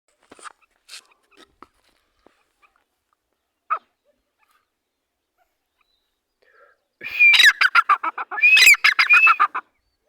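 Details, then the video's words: Grey francolin giving its lively call: a few faint scattered notes, then a loud rapid burst of harsh, repeated notes with rising whistled elements, sounding about three or four times a second for roughly two and a half seconds. "dhakani teetar full seti ka papand /teetar ki masti wali boli"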